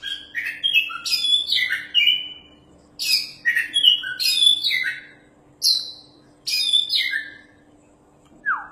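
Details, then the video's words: Champion Oriental magpie-robin in full, intense song, suited as a tutor for other birds: bright varied whistles sliding up and down, mixed with harsh scratchy bursts, in phrases of a few seconds with short pauses between them. "BURUNG KACER JUARA GACORRR PAS BUAT MASTERAN~"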